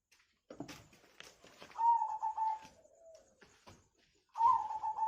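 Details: Zebra dove song, local and Bangkok birds, used as a lure to prompt birds to sing: clear, slightly wavering cooing notes in short bursts, with soft clicks and handling noise between phrases.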